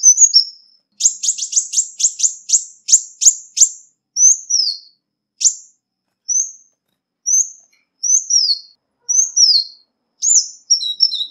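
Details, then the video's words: A ruby-cheeked sunbird gives very high, thin chips in a quick run, then sharp down-slurred notes about once a second, with no other sounds. "Tiếng chim Xanh tím mồi chuẩn mp3 không tạp âm| Ruby-cheeked Sunbird"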